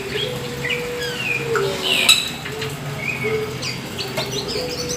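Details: Black Oriental magpie-robin singing vigorously: scattered whistled notes and short slurred phrases at mid to high pitch, over a steady low hum with a sustained tone in the background.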